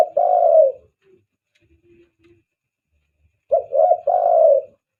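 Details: Lure call of a spotted dove for drawing in other doves: a long mellow coo, a pause with faint low sounds, then a triple coo phrase of two clipped notes and a sustained final note.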